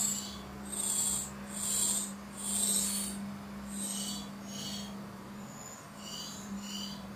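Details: Nestling great tits in a garden barbecue nest call to be fed while the parent delivers food and carries off droppings; a run of hoarse, hissing bursts that fade toward the end, over a constant electrical-sounding hum.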